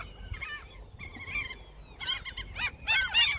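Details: Seagulls at a fishing spot being fed, birds described as attacking in their territory; short bursts of harsh, nasal, downward-bending calls from several gulls, growing louder and denser toward the end.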